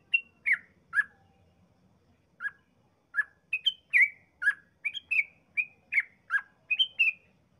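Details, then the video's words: Sooty-headed bulbul in lively, long rapid song used to provoke other bulbuls into singing: short liquid, slurred notes in an uneven series, a pause near two seconds, then denser phrases of about a dozen notes. Faint low rumble underneath. "Trucukan gacor ropel panjang paling ampuh mancing trucukan lain cepat ngropel"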